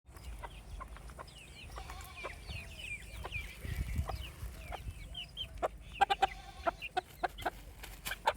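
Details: Baby chicks on a farm giving many short, high, curved chirps that overlap quickly, with sharp tapping clicks mixed in and a low rumbling background.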